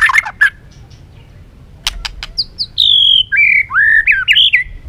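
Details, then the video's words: Caged white-rumped shama singing to spark competition: early harsh notes and clicks, then a long high whistle sliding downward into looping, rising and falling whistled phrases. "chòe lửa rực lửa đập chạy sàn cầu, hót dụ chim kích lửa hót đấu căng lửa"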